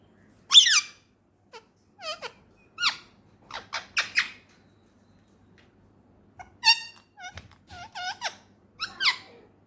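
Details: Male ringneck parakeet kept as a pet speaks in scattered squeaky, speech-like syllables, some sliding upward, grouped in two bursts separated by a quiet pause, in a small room.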